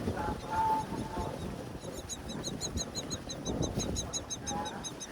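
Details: Wild myna chicks begging while being fed by their mother at a nest high on a tall palm tree in breeding season; faint, rapid, regular high ticking pulses from the second second onward over a noisy rumbling background.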